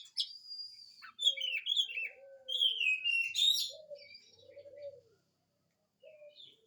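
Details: Oriental magpie-robin in full song, meant to coax quiet magpie-robins into answering. A long steady whistle opens, then descending slurred whistles and scratchy notes, with soft low cooing notes underneath and a brief pause before a final phrase.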